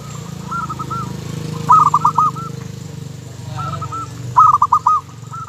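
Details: Local zebra dove singing two short phrases of rapid, pulsed, purring coos a few seconds apart, the second louder and crisper, over a steady low engine-like hum.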